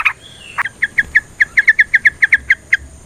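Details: Yellow-vented bulbul calling as a lure for other bulbuls, including at dawn; a quick series of clear, bright chip notes repeated about four times a second after a brief opening whistle.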